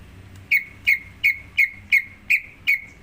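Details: Greater green leafbird lure song meant to make another bird sing: seven identical sharp, bright whistled notes, each dropping slightly, repeated almost three times a second against a quiet background.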